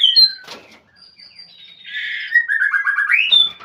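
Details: White-rumped shama calling a rival in captivity: sharp whistled notes, a soft rasping chatter, then a quick run of repeated stuttering notes ending in a high upward whistle.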